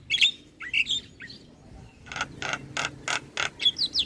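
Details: Javan myna song played as a lure so other starlings respond: squeaky slurred whistles, then a steady series of five harsh rasping chacks, closing with more thin whistles.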